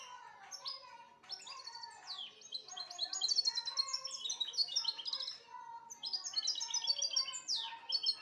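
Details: European goldfinch singing a rapid, bright twittering song of high tinkling notes and quick slurred trills in continuous bursts, with lower steady tones running beneath.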